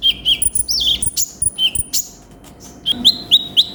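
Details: Konin sunbird song: quick high notes sliding down into brief level tones, very thin high whistles, then a short run of stepped chirps.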